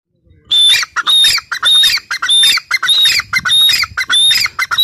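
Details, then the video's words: Grey francolin (teetar) calling loudly: harsh, ringing squawked phrases that repeat about every half second, each pairing a sharp clear whistle with raspy chattering notes, continuous throughout; faint low rustling beneath. "Teetar sound | teetar ki awaz | gray francolin teetar sound"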